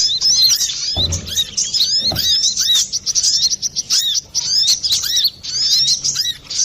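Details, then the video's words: Brown-throated sunbird singing loud and clear, used to lure or train birds; sharp high chirps and downward-curving whistled notes tumble in quick, stuttering sequences, with a couple of soft thumps. "Pancingan burung Kolibri Klapa ribut,suara jerni"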